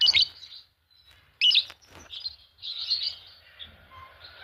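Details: Paired green Fischer's lovebirds giving sharp, high chirps followed by a longer stretch of soft, buzzy, wavering twittering that continues to the end, over a faint low hum.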